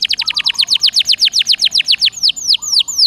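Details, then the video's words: Caged canary (Serinus canaria) song played to encourage another canary to sing: a steady series of high downward-sweeping whistled notes about five per second, slowing into a few spaced sweeps at the end. "Suara Burung Kenari Gacor Dor Nembak Untuk Pancingan"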